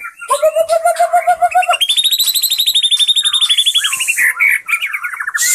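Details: Indonesian white-rumped shama singing from one spot: a steady series of pure whistled notes, then a long, fast, ringing trill of rich repeated notes rising and holding, ending in varied warbles.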